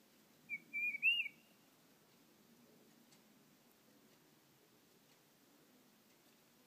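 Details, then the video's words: A tufted titmouse sings at a bird feeder, filmed on an iPhone; a single whistled phrase of three or four clear notes, the last slightly rising, followed by near silence. "Tufted Titmouse Song"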